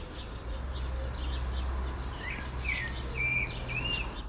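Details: Common blackbird in its favourite Port Orford cedar, one singing, one listening; faint high twitters give way to curving whistled slides and a long bright fluty note near the end, with a low hum throughout.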